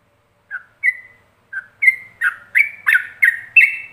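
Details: Yellow-vented bulbul song in the Ropelan style, a master recording for other bulbuls to learn. Short clear whistled notes near the same pitch, some slurred or rising, about nine in quick succession after a brief pause. Clean background.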